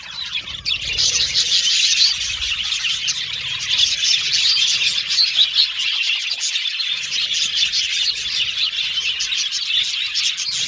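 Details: Budgerigars chattering in an aviary colony, a continuous bright twittering of many overlapping voices starting after a short quiet moment and staying steady throughout.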